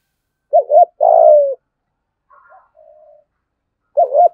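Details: Spotted dove used as a decoy, singing thúc, gù and gáy phrases in the 'giọng thổ' style. A low double coo runs into a long falling croon, then fainter soft notes follow and a double coo starts again.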